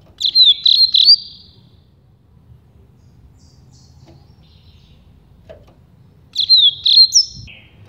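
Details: Rusty-collared seedeater singing the campainha song type, also called carretilha or flauteado, used to train young birds; two bright high whistled phrases with rapid trilled, warbling notes around one second each, separated by a quiet pause of several seconds.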